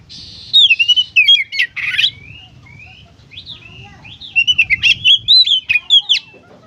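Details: Kacer (Oriental magpie-robin) in 'gacor konslet' song: a harsh buzzy opening and squawks, then a varied stream of quick whistled slurs and chips, loud and irregular, over low steady background noise.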